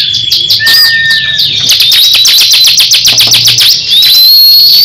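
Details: Crescent-chested babbler, a caged songbird, competing with another bird in a singing duel: fast machine-gun ticking trill over a sustained high whistle, ending in a rising whistled note.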